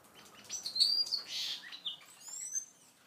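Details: Seagreen parrotfinches feeding and interacting, giving high, thin chirps and a sharp tweet, then a brief hissy burst and a few fainter descending notes amid light rustling.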